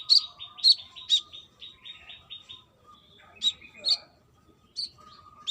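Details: Brown-throated sunbird, a female calling for a male: loud, high chips with short trailing buzzy notes, then scattered sharp chips after a brief gap, above a low constant hum.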